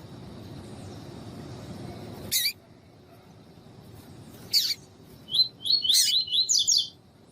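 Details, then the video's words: Female double-collared seedeater (coleiro tui tui) calls used to train and warm up males: two isolated high, sharp chirps, then a quick run of bright twittering phrases near the end, after a soft low rumble at the start. "CANTO DO COLEIRO TUI TUI TREINAMENTO COM PIADO DE FÊMEA DE COLEIRO PARA ESQUENTAR COLEIRO TUI TUI"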